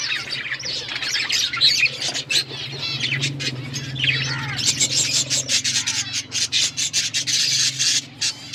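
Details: A group of budgerigars keeps up busy chirping and scratchy warbling, with sharp repeated clicks and squawks toward the end over a steady low hum.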